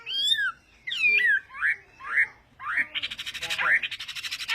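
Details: Chinese hwamei singing in the morning as voice practice: clear slurred whistles rising and falling in short separate phrases, then a harsher, buzzy run of rapid repeated notes toward the end.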